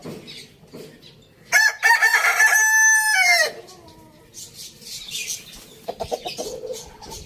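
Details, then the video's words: Rooster crowing in a farm village: one loud, drawn-out crow with a brief rising start and a long held, harmonic-rich middle lasting about two seconds, then fading. Softer clucks and chirps follow. "Amazing rooster crowing sounds"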